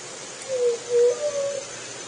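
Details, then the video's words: Juriti dove song heard as a short phrase of three low, mellow cooing notes, the middle one loudest, set against constant broadband hiss. "Conheça o canto da Juriti"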